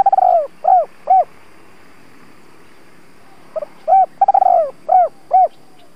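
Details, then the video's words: Decoy spotted dove cooing in the thúc–gáy gọi style used to provoke and lure wild doves: two bursts of low, arched hooting coos, each starting with a drawn-out quavering note and followed by two or three short rounded coos, with a pause between bursts. "Tiếng chim cu gáy (THÚC - GÁY GỌI) kích bổi hiệu quả\ Chim cu gáy thúc gù"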